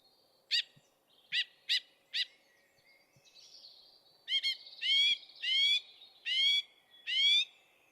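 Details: Song thrush song made of repeated phrases: first single sharp, clear notes, then a run of short, ringing, strongly patterned phrases. Each phrase is repeated again and again in a clean, unhurried rhythm against a quiet background.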